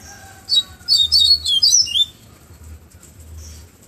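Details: Flautado song of a Bahia seedeater, recorded in the afternoon in Pero Vaz, Salvador: a tight string of high, quickly warbled and down-slurred whistles for about one and a half seconds, then quiet with low hum.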